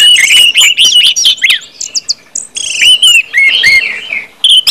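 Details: Orange-headed thrush delivering open ngeplong song meant to stimulate other birds to sing: quick chirping phrases, downslurred whistles and a buzzy trill, easing off midway, then a last loud burst.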